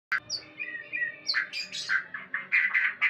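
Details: White-rumped shama during mating: a loud opening note, then rich whistled and warbled phrases around mid-high pitch, ending in a run of bright, fast repeated chirpy notes.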